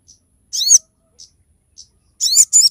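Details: Crested jay singing to coach and provoke other captive birds: soft high ticks punctuating loud, buzzy, harmonically rich downslurred calls, with a final pair of harsh, strident notes close together.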